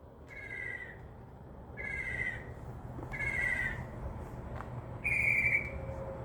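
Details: Northern mockingbird singing from a tree outside a window, a bird that also imitates crow caws, dove wing sounds and a small dog's bark; four separate, evenly spaced high whistled phrases, each a short flat note, over a low steady hum.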